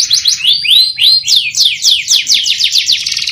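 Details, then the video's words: Canary in a long, continuous training song: a rhythmic series of bright descending slurred notes, roughly four each second, delivered loud and clear. "CANARY SINGING | TERAPI PANCINGAN KENARI GACOR PANJANG"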